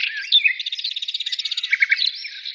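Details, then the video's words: Birds in song, with a fast even stutter of notes, about eight per second, over a warbling background and three bright chips near the end. "birds singing"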